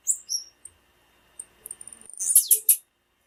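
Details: Female blue-black grassquit call used to excite captive males before song contests: a few thin very high whistled peeps, then a quickening run of faint ticks ending in three loud sharp high notes about a fifth of a second apart.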